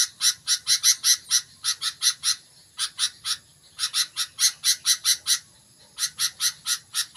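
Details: Sooty-headed bulbul warming into intense song: long runs of fast, evenly spaced harsh chirps, broken by two short pauses, over a faint high background hum.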